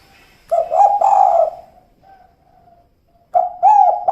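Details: Female spotted dove giving its "kuk 2" style call: a low, husky cooing phrase of several slurred notes, a pause, then another phrase beginning at the end.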